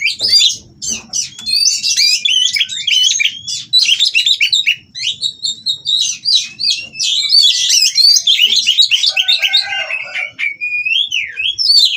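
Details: Captive white-rumped shama at a breeding facility, mating and singing to provoke rivals; a long energetic medley of rapid chirps, rattles, clear whistles and mimicked-sounding phrases, closing with a rising and falling slurred whistle.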